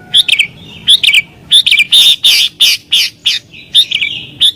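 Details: Sooty-headed bulbul singing emotionally to provoke rivals and lure wild birds: dense, loud bright chirps and ringing phrases run together with short pauses, a busy excited sequence.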